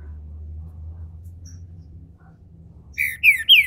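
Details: Captive Green-winged Saltator in Brazil beginning its song: after a stretch of low hum, three loud whistled notes start, each slurring downward, cut off as the phrase begins.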